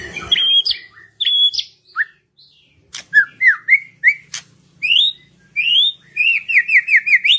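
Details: White-rumped shama song used as a lure to stimulate reluctant birds to sing: clear whistled phrases, some rising and falling, then a rapid run of repeated slurred notes near the end, with short pauses between phrases.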